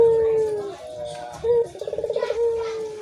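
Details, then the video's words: A dove gives a long level whistle that slides downward. A short note follows, then a quick throbbing trill, then another drawn-out falling tone. "burung puter"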